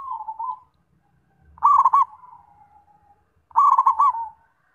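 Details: Zebra dove, locally perkutut, cooing in repeated phrases, each a stutter of notes ending in rounded coos with a soft trailing murmur between.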